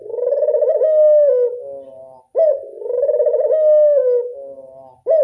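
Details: Barbary dove, local burung puter, in classic voice: repeated drawn-out coos with a vibrating, rolling texture that rises then dips, separated by brief gaps and abrupt clipped upward notes.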